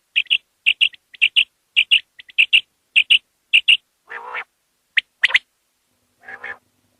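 Common quail giving quick, high, clipped notes in pairs, repeated about twice a second, then a few lower, harsh buzzy notes.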